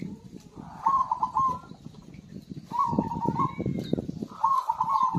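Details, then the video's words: Zebra dove in vigorous song, used as a lure for birds that have stopped singing: three rippling, purred coo phrases spaced about two seconds apart, over faint low rumble and scattered ticks. "PERKUTUT GACOR AMPUH UNTUK PANCINGAN SUARA BURUNG MACET BUNYI"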